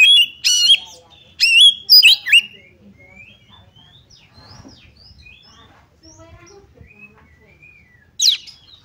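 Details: Oriental magpie-robin, a provocation song meant to trigger fighting: a few loud, sharp whistled phrases in the first two and a half seconds, then near silence with faint low sounds and one brief high note near the end.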